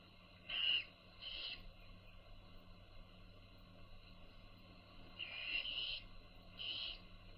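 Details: Baby owls being fed by their mother, giving short raspy hissing bursts in four separate groups, two close together near the start and two near the end, over a steady low hum.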